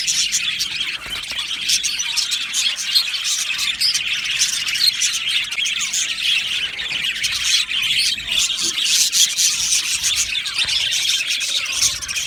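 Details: Budgerigar colony in an aviary, singing and chirping nonstop: a thick, even layer of high chirps, squeaks and warbled notes from numerous birds.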